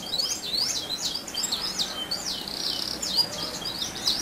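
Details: Lure recording of a canary in continuous rolling song to draw replies from other canaries: high looping whistles and quick slurred notes strung together without pause, moderately loud.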